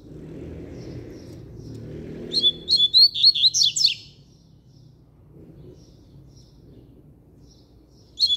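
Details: Loud, firm song of a Double-collared seedeater: a hurried sequence of bright whistled notes swooping up and down for almost two seconds, followed by quiet, then the start of another phrase.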